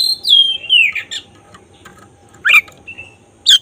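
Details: Black-breasted oriental magpie-robin singing actively, a sound used to provoke emotion and tail spreading: clear descending whistles opening the phrase, then brief sharp chirps and a short level whistle spaced about a second apart.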